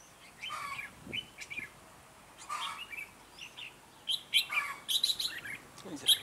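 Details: Red-whiskered bulbul of the Mũ lân type from Ché, a decoy singing to lure wild bulbuls into a trap, 9 June 2017. Short bubbly whistled phrases come in scattered bursts, with a louder cluster of bright notes near the end.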